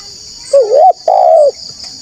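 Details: Spotted dove calling loudly as a lure for wild doves: one coo phrase, a wavering dipping note followed by a longer smooth falling coo, with a constant shrill insect-like drone behind.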